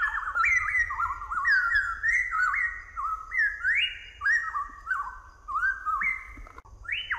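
Rich, melodious whistled song of the southern variable pitohui: a continuous run of stepped, rising and falling fluty notes with no pauses, over faint high chirping and low rumble.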